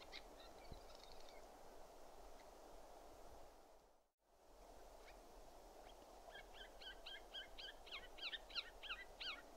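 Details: Siberian jay (Perisoreus infaustus), call.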